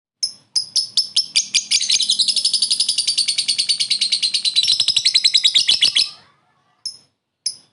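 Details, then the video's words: Lovebird calling a rival with a short ngekek, the laughing call used as a lure: sharp high chirps speed up into a continuous rattling trill lasting about four seconds, then a few isolated chirps after a pause. "Suara burung lovebird memanggil lawan + ngekek pendek mantap buat pancingan"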